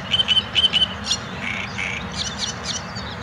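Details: One of several great reed warblers singing in the palace park at Białowieża, Poland, on 13 May 2023: loud, harsh, croaking notes repeated in quick pairs and runs, grating and frog-like, over a low steady background rumble.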